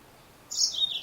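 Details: A female yellow-fronted canary gives a single high chirp that begins halfway through and slides slightly downward. The sound is cut off at the end, against a faint steady hiss.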